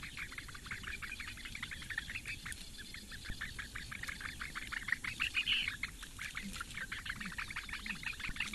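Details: Four Eurasian bittern chicks at a webcam nest in the reedbeds of Lake Engure, Latvia, on the morning of 15 May 2017, being fed by the female. Dense, rapid, scratchy chirps repeat steadily throughout, rising briefly louder midway.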